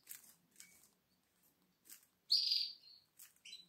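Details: A seven-day-old Atlantic canary chick in the nest, eyes not yet open, begging on 12 April 2022: thin, high, hissing peeps in short bursts, with one louder sustained squeal midway, then softer chirps.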